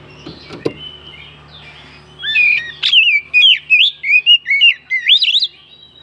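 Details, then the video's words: Oriental magpie-robin, or kacer, song played to make other birds sing: a faint whistle and clicks, then a loud, fast series of twisting whistled notes, roughly three per second, for about three seconds. "Pancingan burung kacer naikan emosi"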